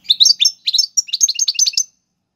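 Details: European goldfinch song in the Algerian tiwawati galoubi and serfati styles, used for teaching young birds: bright, high twittering notes in quick clusters with tiny gaps, running for almost two seconds against a silent background.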